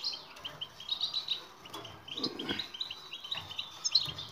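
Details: European goldfinch sound from a batbata training recording for silent birds: spaced high chips and short whistled notes, some drawn out, broken by a few brief low noisy thumps.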